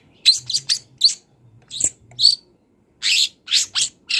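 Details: Long-tailed shrike singing in the wild, kept as a training song for songbirds: clipped high chirps and whistled upslurs, a pause, then loud raspy buzzing bursts, with faint low hum between phrases.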